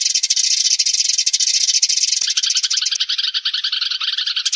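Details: Sparrow flock calling, a lure recording: sharp high chirps pour out in a thick, steady chatter, becoming slightly choppier and more separated toward the end.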